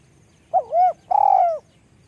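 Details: Spotted dove with a small voice cooing once: a quick wavering double note, then a sustained, slightly burred coo that slowly falls in pitch, heard against a faint, low background hum.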